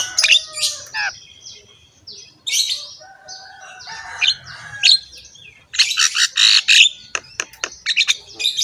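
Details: Javan myna (jalak kebo) in a rough-voiced song meant as training material for other mynas: scratchy squawks, short whistles and buzzy bursts, with a loud harsh rattling passage near the end.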